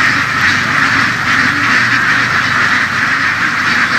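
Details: Field-herded laying ducks in the western region, a dense flock quacking together in a steady rasping chorus, with a low engine-like hum running beneath.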